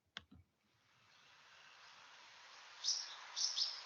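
A house martin gives two dry, high chirruping calls close together near the end, after a couple of soft clicks and a steady hiss.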